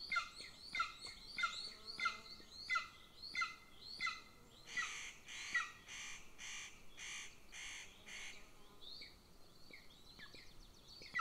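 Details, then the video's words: Golden eagle chick at an Estonian nest near a military training ground, begging as the mother feeds the older sibling: a run of high, thin cheeps, then a burst of harsh rasping pulses, then softer scattered calls. "LIL CHICK BEGS WHILE ELDER IS FED"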